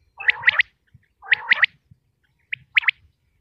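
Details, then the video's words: Common quail from Pakistan: two bursts of sharp, ringing triple notes over lower buzzy rasping, then a brief pause and a further quick clipped triplet, all in under four seconds. "quail sounds 2023|batair ki awaz 2023|pakistani batair|top sounds of batair"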